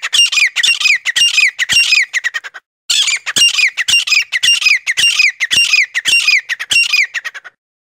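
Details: Calling sound used to lure forest quail: two long bouts of fast, regular, harsh squawking notes, each a raspy downslurred chirp with rich overtones, separated by a brief pause.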